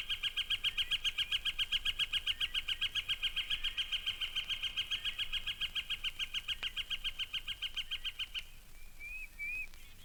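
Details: Yellow-shafted (Northern) Flicker at Mountain Lake Sanctuary, Lake Wales, Florida, giving a long, steady series of loud, ringing notes, about three or four per second for eight seconds, followed by faint twittering from another bird; from a 1970 record.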